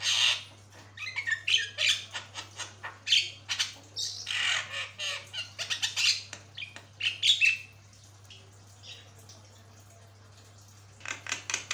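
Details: Long, energetic Javan myna master song with grating squawks and chattering notes tumbling out irregularly for about eight seconds, then a quiet gap before the harsh notes resume.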